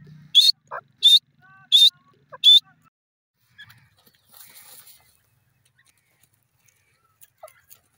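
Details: Grey francolin, or teetar, calling: four loud, harsh high notes repeated about every 0.7 seconds, followed by scattered faint sounds and near silence.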